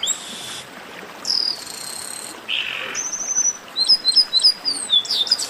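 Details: A 'baderna' of chestnut-capped blackbirds, meant to get singing birds warmed up: a long high buzzy note, a lower rasping burst, then a quick rising series of clipped whistles ending in overlapping sharp chirps.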